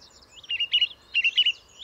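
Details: Song thrush in song, delivering two short bursts of rapid, squeaky, chattering notes, each phrase of three or four quick elements, against a quiet background.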